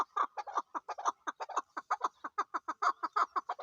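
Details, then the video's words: Chukar partridge, named as the national bird of Pakistan and locally called chakor, giving a fast run of short clucking notes, about three per second, steady and unbroken throughout with no other sounds. "chakor ki awaz zark awaz"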